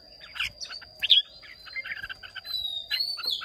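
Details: Contest singing by caged Red-whiskered bulbuls from Hoà Bình, Vietnam: a short run of sharp chirps and clear whistled slurs, with rising whistles near the end and a faint low hum underneath.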